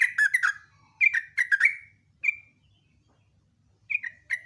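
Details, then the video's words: A lively sooty-headed bulbul's rapid morning song: rich, slurred whistles falling in pitch, then a lone sharp note, a pause of over a second, and two more short whistled notes. "TRUCUKAN ROPEL NGECRUK, NEMBAK"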